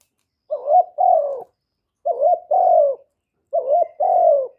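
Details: Loud calling of a young male spotted dove, recorded cleanly: a two-part hollow coo, short rising note then a longer falling one, repeated three times at steady intervals.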